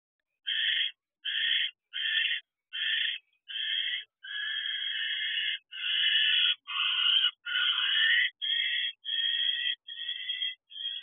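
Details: Wild barn owl at an owl box at 4:20 am in January, returning to the box, giving a run of harsh rasping screeches, short bursts first, then longer drawn-out hisses, repeated roughly every second.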